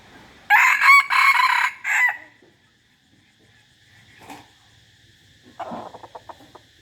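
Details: Rooster crowing: one loud, harsh, multi-part crow in about four bursts over one and a half seconds, followed by quiet, a faint thump, and a brief clucking rattle.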